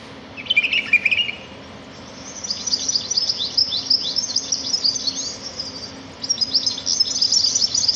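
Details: Sparrows twittering in nature: a short chirpy phrase, then long runs of very high, thin, rapid notes with a brief pause before the chorus resumes.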